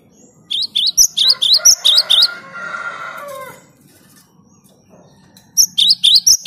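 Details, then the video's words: Cinereous tit (gelatik batu) in full, clear song meant to provoke rivals: bursts of sharp high two-note phrases repeated about four per second, a break filled by a lower rasping buzzy rattle, then the ringing phrases return. "Suara Gelatik Batu/Wingko Gacor Jernih bikin emosi LAWAN"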